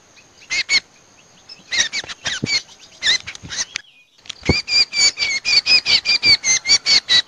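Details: Common Iora lure call used to draw in cucak combo for trapping: scattered harsh notes, a short gap with a faint click, then a fast, regular run of buzzy chattering notes to the end.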